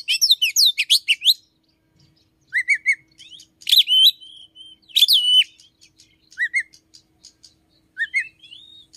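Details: Morning singing of an Oriental magpie-robin that mimics another small bird: quick runs of sweeping chirps, clipped whistled pairs, and ringing downslurred notes between brief pauses.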